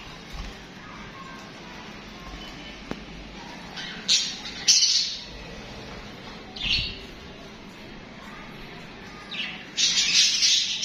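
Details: Budgies chattering, with a few scattered harsh chirps and a longer scratchy burst near the end over a low constant hum.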